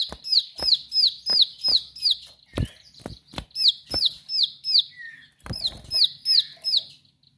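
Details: Continuous song of a bar-winged prinia, delivered energetically: shrill descending notes repeated roughly three per second throughout, with intermittent sharp knocks and a brief rustling noise.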